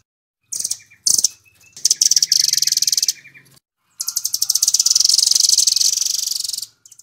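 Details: Rambatan (velvet-fronted nuthatch) singing its 'Doraemon' style: short high bursts and a lower chattering trill, then a long, dense, rapid trill of shrill notes for almost three seconds.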